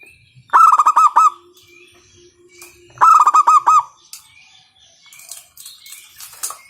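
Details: Loud-voiced local zebra dove serving as a lure to make other doves sing: two rapid bursts of bubbling coo notes about two seconds apart, followed by soft rustling and clicking noises.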